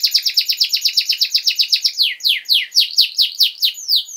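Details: Canary song used as a master recording for tutoring young canaries, a rapid series of high sweeping notes that slows into wider, evenly spaced descending slurs.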